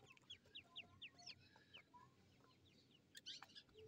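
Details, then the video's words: Fighting grey francolin chicks (Dahkhni and Irani teeter) from a breeding programme give quick high chirps, several per second, with sharp clicks and scattered softer cheeps over a low hum. "Dahkhni teeter bachy fighting ✓ buttifull fighting irani teeter ky bachy"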